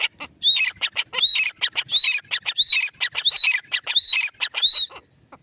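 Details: A grey francolin pair calls together: harsh, rapid clucking notes woven with a rising whistled note repeated about every 0.7 seconds, loud and rhythmic throughout.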